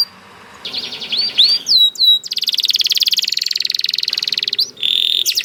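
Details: Singing canary, said to respond at once to another canary's voice: soft opening, upswept and downslurred whistles, a rapid rattling trill of about two and a half seconds, ending on a steady buzzy tone.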